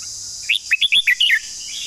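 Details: Long song of a red-whiskered bulbul: a brisk phrase of about six bright, liquid whistled notes, each briefly swooping up or down, delivered in under a second against a constant high-pitched hiss.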